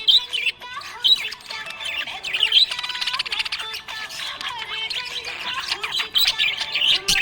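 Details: Happy budgerigar chirping in a dense, fast run of warbled, squeaky chirps and short whistles, with a melodic song playing steadily underneath.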